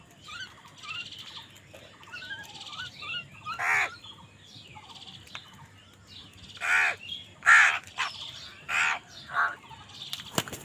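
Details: Crows fighting over food: scattered harsh caws, some long and hoarse, mixed with high squeaky chatter from other birds and a sharp click near the end.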